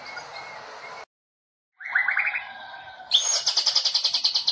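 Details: White-rumped shama of the Medan type, a national champion at the 2018 Presiden Cup competition, singing in bursts of cililin imitation: a cut, then a rising trilled run, then a loud, fast, regularly pulsed high chatter.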